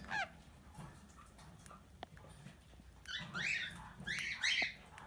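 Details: Tamed plum-headed parakeet kept as a talking pet: a single sliding chirp opens, then after a quiet pause a quick run of bright, overlapping squawky syllables clusters near the end, with low background hum.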